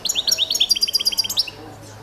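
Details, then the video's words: Balkan goldfinch, Carduelis carduelis balcanica, competition song entry from a world championship in goldfinch song: a fast run of evenly repeated high upslurred notes, about ten per second, ending abruptly. "Pesma štiglića 001/22 World Championship in Goldfinch Song"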